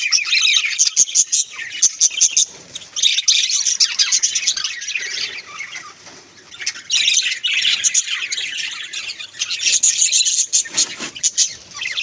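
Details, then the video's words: Pet budgerigars in a home produce bursts of busy, high-pitched warbling and chirping, broken by short quieter gaps, with some scratchy squawks and a few soft flutter-like noises. "Beautiful Bagies sounds"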